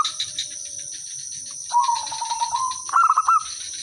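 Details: Zebra dove used as a lure: a lower, rolling purr-like coo sequence followed by a quick burst of higher, clipped cooing notes, set against a constant high-pitched insect drone.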